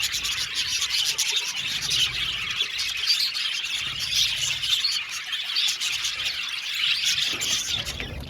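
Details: Budgerigars chirp in an aviary colony of some 70 pairs, a dense, lively mass of overlapping high warbles, squeaks and twitters that swells and eases slightly without ever stopping.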